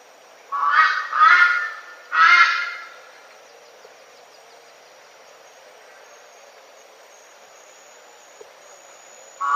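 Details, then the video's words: Loud, raucous three-note call of a Red-billed Brush-turkey: first note lower, second close behind, then a gap before the harsh third note; followed by quiet forest background and the start of another call. "The voice is loud, raucous,"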